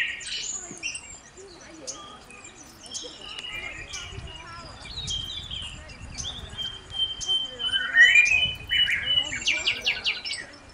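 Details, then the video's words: Mourning warbler song in Collingwood, Ontario, Canada: a burst of rolling, slurred chirps near the end, among scattered high chips from other birds, with faint voices underneath. "Mourning Warbler"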